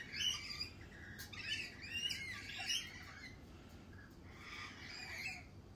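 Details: Several lorikeets in spring chatter with harsh, scratchy screeches, closely spaced and overlapping, pausing briefly before another grating burst near the end.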